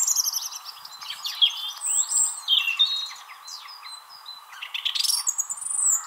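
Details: In April 2021, a song thrush singing in a tree at Wrestlingworth, Bedfordshire, UK, competes with another nearby thrush in loud, varied phrases of sharp whistles, trills and squeaky notes in a quick, bright stream, another bird faintly audible behind.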